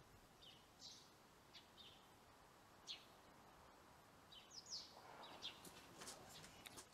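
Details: Eurasian tree sparrows taking up residence in a homemade nest box after their old breeding site was blocked; short, high chirps scattered irregularly, some in quick pairs, over a steady outdoor hiss.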